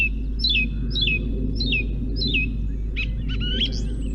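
Song thrush singing a clear, falling whistled phrase four times at half-second intervals, then switching to new sharp, varied notes, over a steady low rumble.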